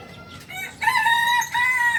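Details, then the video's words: Kokok Balenggek rooster, a native chicken from Solok, West Sumatra, Indonesia, famed for multi-tiered crowing of up to 19 tiers; after a quiet start, a loud, clear, harmonic crow holds steady, briefly breaks, then resumes on a slightly higher level. "Ayam kukuak balenggek ayam asli solok sumbar"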